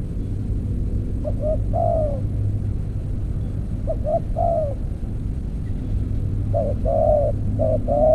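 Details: Spotted dove heard during decoy trapping with an earthen trap cage: three low, mellow coo phrases, each two short notes then a longer falling coo, over a steady low engine-like rumble.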